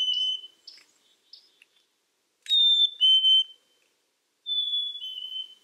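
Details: Black-capped chickadee: a few short chip notes open, followed by two clear descending two-note whistles separated by a pause.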